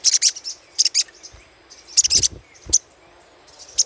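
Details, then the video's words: Little spiderhunter chattering, as used to lure birds: clusters of two or three piercing high chips, a denser burst midway, and a lone note at the end; low thuds accompany some bursts. "PANCINGAN SUARA CRECETAN SOGOK ONTONG"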